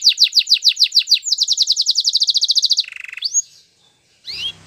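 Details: Canary singing a training song: quick falling whistled notes, then a very rapid even chatter and a low buzzy trill, followed by a single rising whistle and a short noisy burst.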